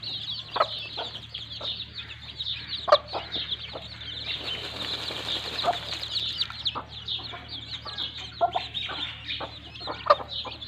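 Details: A hen and her chicks playing in mud: irregular low clucks and a busy chorus of thin chick peeps, with a brief rustling burst in the middle and a steady low hum.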